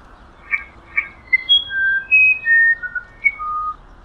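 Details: Musician wren, also called violinero or wirapuru, native to humid Amazon forest: a sequence of pure whistled notes at varied pitches, a few short clipped notes followed by longer steady tones stepping down and up like a melody.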